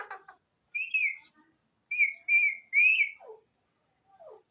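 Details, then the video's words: Pahari tota talking parrot whistling clear, slightly rising tones, one short and three linked, plus faint soft chirps before and after. "bolnay wala tota,pahari toat bird,sweet parrot bird"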